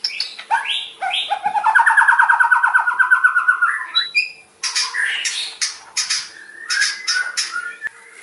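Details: Rapid-fire 'nembak' song of a white-rumped shama: a fast, buzzy rattling trill of about three notes per second, followed by harsh, scratchy bursts and squawky notes.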